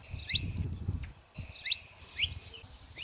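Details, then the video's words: Wild saffron finches singing free in nature: short bright chirps sweeping up and down, spaced by brief pauses, with one sharp high note near one second, over a low rumbling background. "show dos canário da terra livre na natureza"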